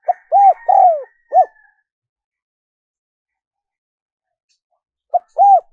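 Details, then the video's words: Spotted dove giving its coo, played to lure wild doves. One full phrase of low rounded and sliding coos, a long silent gap, then the start of the next phrase. A faint higher tone sits under the first phrase. "Tiếng chim cu gáy mp3 dùng kích bổi hiệu quả nhất"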